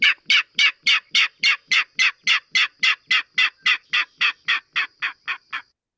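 King Rail giving a fast series of about twenty loud, hollow grunting notes, steady at first and fading toward the end.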